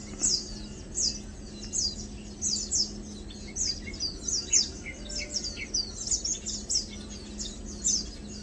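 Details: Lowland White-eyes (Zosterops meyeni), green-plumaged: thin, high chips and short twittering notes tumble over one another in quick overlapping bursts, with a faint low hum underneath.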